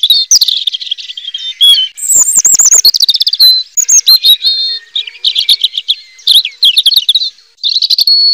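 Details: Continuous robin song: lively warbling phrases, a descending fluted whistle, chattering trills and a final steady whistled note, delivered loudly and quickly with only brief gaps.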